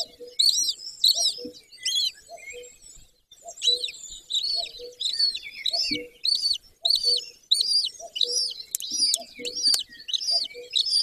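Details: Golden eagle at a mountain nest in Bucovina, Romania, on 20 May 2024 at 09:20, with a female and male pair. Thin, high arched notes are repeated roughly every half second in uneven bursts, with fainter low tonal notes between them.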